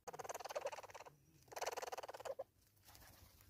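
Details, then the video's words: A hornbill calls with fast, rattling runs of nasal pulses in two bursts about half a second apart, ending in a brief doubled note, over a low hiss. "Hornbill making Sounds"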